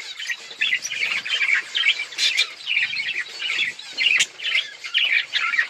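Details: Budgerigars chattering steadily while eating and playing: a continuous stream of warbled chirps and squawky notes in rhythmic bursts, with a few sharp clicks.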